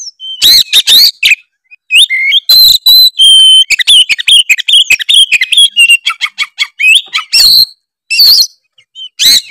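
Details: Tretes-type oriental magpie-robin in energetic full song used to provoke other birds into singing: dense runs of clear whistles, quick twittering notes and sharp ticks, with a few harsh bursts between phrases.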